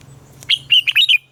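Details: Red-whiskered bulbul singing its morning song for training captive birds, a short lively phrase of four or five clear warbled notes, rising then dipping, over a faint low hum.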